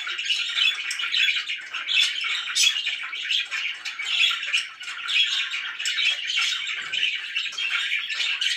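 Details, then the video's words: Happy pet budgerigars chirping: a dense, continuous warbling chatter of overlapping chirps and squeaky notes, rising and falling in loudness, with no pauses. "VERY HAPPY BIRDS"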